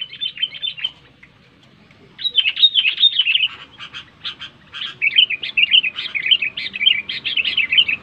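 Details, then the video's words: Sooty-headed bulbul song for prompting reluctant bulbuls to sing: a short whistled phrase, a pause, then long stretches of rapid, chattering, warbled notes rising and falling steadily. "SUARA BURUNG KUTILANG NYARING SANGAT TEPAT UNTUK MEMANCING KUTILANG MALAS BUNYI LANGSUNG GACOR"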